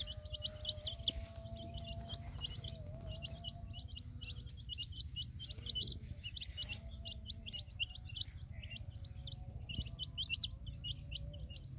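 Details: Colored baby chicks with a hen in a field: many thin high peeps in quick scattered bursts over a steady low rumble, with a faint sustained tone running underneath.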